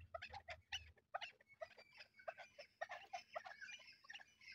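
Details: Chukar partridge pair kept as hunting birds, calling excitedly: bursts of rough clucking chuk notes in uneven groups, some higher squeaky notes mixed in, with a low rumble in the background.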